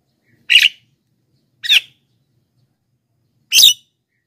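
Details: Calls of a Black-winged myna, known locally as jalak kebo, used to attract wild birds and set off captive ones: three clean, harsh, chattering bursts separated by silence.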